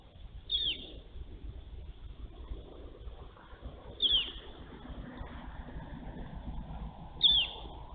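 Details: Female bald eagle calling the male at a nest changeover, recorded from a live nest camera on 23 March 2023. Three short, high, sharp squeals, roughly every three seconds, rise above constant low background hum.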